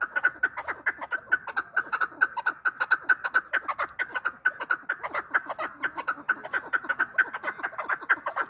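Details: Chukar partridge voice presented for hunters: a fast run of harsh clucking notes, about two per second, steady and repeated throughout with little pause, no other sounds.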